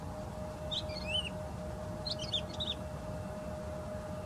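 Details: Woodlark song in two brief phrases of sweet, rapidly slurred high notes, each a tumbling cluster of falling whistles, with a constant low hum and broadband rumble underneath.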